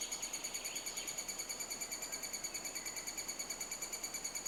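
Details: Nesting-season three-toed woodpecker in Estonia, near a cavity excavated in soft old timber. Unbroken train of fast, evenly timed, high ringing notes with strong overtones, and a brief faint upslurred chirp near the start.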